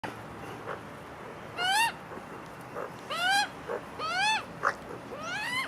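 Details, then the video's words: Magpie family eating together; drawn-out nasal calls rich in overtones, each rising then bending down, given four times about once every second, with soft clicks and faint background hiss. "Magpie family eating together making funny noises"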